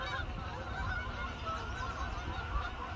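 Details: Migrating Canada geese flying in V and I formation, honking repeatedly in an overlapping chorus of short nasal calls over low rumbling background noise.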